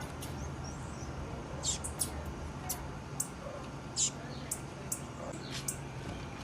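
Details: Female blue-black grassquit (tiziu) calling: short, thin, very high chips given irregularly, about a dozen across six seconds, some doubled, over a steady low hum and faint background noise.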